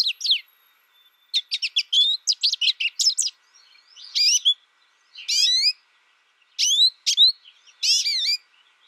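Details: A quick burst of high chattering twitters from an American goldfinch, then spaced, slurred rising whistles and sweet upward-swinging notes separated by brief pauses.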